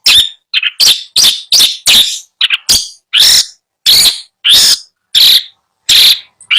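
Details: A caged cendet, the long-tailed shrike, offered by a bird seller in Bondowoso, repeats loud rasping, scratchy notes at an uneven pace of roughly one or two per second.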